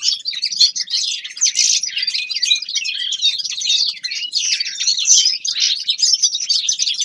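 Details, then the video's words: Energetic warm-up song of a young male common linnet in winter: a sustained, rapid twitter of sharp chirps and slurred whistles, loud and nearly without pauses. "Распевка Реполовов песня Carduelis cannabina birdsong"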